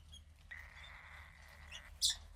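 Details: Fifteen-day-old female cockatiel chick from a pied pair, gray with some white around the wings, giving one long, even, raspy hiss of about a second and a half, followed by a short sharp click.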